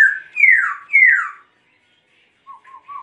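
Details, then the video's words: Laughingthrush producing two loud, sweeping whistles that slide steeply downward, then a silence and a few soft, low warbling notes. "Khướu Muá Hót Như Thế Này Đạt Chưa Anh Em"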